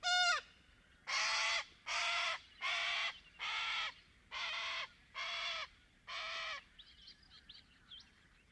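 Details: Little corella, a small cockatoo, in Paroo-Darling National Park in Australia's outback, giving harsh raucous screeches: a short descending squawk, then seven loud broad grating calls about every 0.7 seconds, followed by faint higher chatter.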